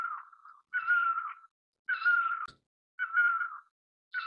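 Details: Great barbet, Psilopogon virens, producing loud, nasal, slightly falling wailing calls, each around half a second to a second long, repeated at about one per second with a faint click between.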